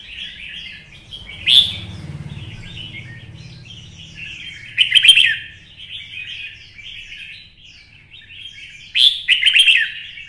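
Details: Red-whiskered bulbul goaded into competitive fighting song with a twisting voice: three loud, bright warbled bursts spaced about four seconds apart over steady quieter twittering and a low hum.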